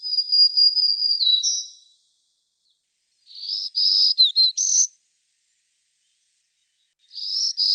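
Black-throated Green Warbler song: thin, buzzy, high phrases with slurred notes and a rising end, given in three bursts a few seconds apart.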